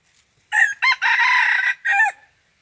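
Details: Crow of a red junglefowl lured in by decoy hunters, 21 March 2020. Two clipped opening notes lead into a long, rasping, drawn-out syllable, then a brief falling final note. The background is quiet.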